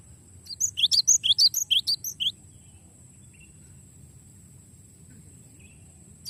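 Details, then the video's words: Cinereous tit (glatik batu) giving a long rolling song: about two seconds of quick, sharp, high two-part notes repeated roughly three times a second, then quiet with a faint steady high whine and low rumble. "suara glatik batu ngeroll panjang"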